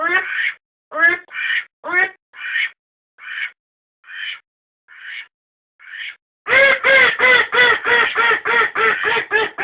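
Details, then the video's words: Domestic duck calls taped for decoy use: a series of separate, softer quacks with gaps between them, followed by a sudden loud run of rapid, harsh quacks tumbling out several per second. "アヒルの鳴き声 おとり用"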